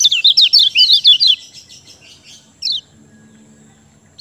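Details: Lemon-bellied white-eye, called kecial kuning, in song played as a lure to stir silent birds: a rapid string of high twittering chirps for just over a second, fading into softer notes, then one separate sharp downward note.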